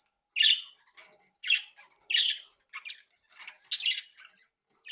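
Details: Happy, playful pet budgerigars in a home breeding flock: a series of short bright chirps and buzzy squawks, roughly two or three per second, with quiet gaps between.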